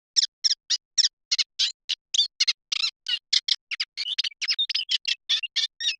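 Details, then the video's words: Eurasian reed warbler churring out a rapid, chattering song of grating and chirping notes, about three or four a second, repeated with little pause. "صوت دخلة القصب الأوروأسيوية | Eurasian Reed Warbler Sound"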